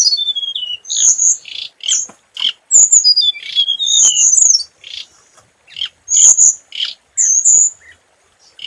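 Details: Lure-bird scarlet minivet delivering high, clear whistles and thin sliding notes mixed with sharp chirps, in irregular phrases with short silences between.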